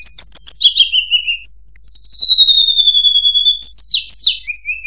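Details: Continuous murai buluh (tledekan) song: rapid high notes, then a long smooth whistle gliding slowly downward, ending in a cluster of jumbled chirps.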